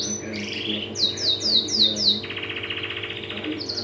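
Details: Canary singing in a lively, continuous song: a series of rapid downslurred whistled notes repeated about four times a second, then a fast buzzy trill, over a steady low hum.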